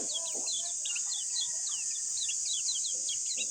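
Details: Lemon-bellied white-eye song: quick, thin high chirps and short slurred notes in a rapid scattered series, partly masked by a steady loud high-pitched hiss or insect drone, with a few low soft sounds underneath.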